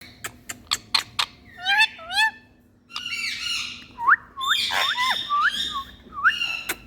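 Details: Parrot in India giving a mix of sharp clicks, whistled upslurred notes and harsh squawks, with a steady low hum behind.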